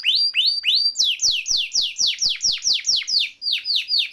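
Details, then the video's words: Canary song used as a training recording for other songbirds: loud, clear phrases of rapidly repeated descending whistled notes, about three per second, shifting pitch between phrases. "Kenari Gacor Ngeroll Isian Masteran atau Pancingan Kenari Riwikan atau Kenari yang Macet Bunyi"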